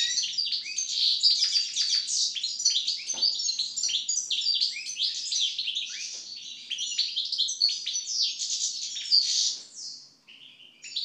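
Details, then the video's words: After its moult, a European goldfinch delivers continuous rapid twittering song of bright, tumbling chirps and trills, loud and unbroken for about ten seconds before fading, with faint background hum. "European Goldfinch (Carduelis Carduelis) after moult song."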